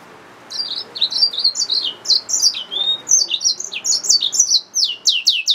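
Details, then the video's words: Continuous bright warbling from a yellow-fronted canary mule hybrid: quick high chirps and down-slurred notes tumbling one after another, closing with louder sharp descending notes. "SERINUS Mozambicus | سيرينوس موزمبيق | Yellowfronted canary mule | Hybrid Finch | Nature Bird sounds"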